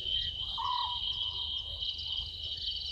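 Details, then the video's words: Small owlet in a tree at a Djuma Game Reserve waterhole, South Africa, 00:38 on 11/12/2023: one quick descending note trailing off softly, set against a loud, continuous wash of night insects. "Small Owlet in tree"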